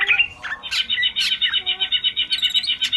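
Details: Male greater green leafbird singing in full, rapid-fire style as a master recording for training birds: a dense, fast trill of bright notes repeated about four times a second, with sharp high whistles and squawky accents mixed in.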